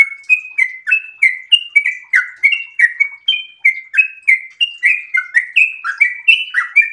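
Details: Sooty-headed bulbul in breeding condition sings continuously in 'ropel' style: quick, liquid, up-and-down chirps repeated about three times a second against a quiet background.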